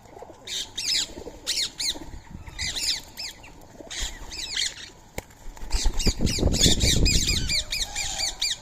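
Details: Indian ringneck parakeets, free-living birds feeding on soaked rice and corn at 6:30 in the morning, 20 March 2025; loud grating screeches in bursts of two to four, repeated every second or so, with rustling and wingbeats.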